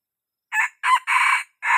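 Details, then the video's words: Crow of a young red junglefowl, used to lure others close: two brief rising notes, then a long steady harsh note, and the start of a last phrase at the end. "Suab qaib qug qua zoo , dib tuaj zoo 100% gà tơ"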